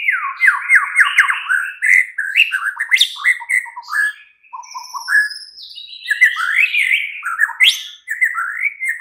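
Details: White-rumped shama pouring out a long, varied night song used to draw a kept bird into answering: fast sweeping whistles, trills and rapid ups and downs, with high, sharp notes throughout.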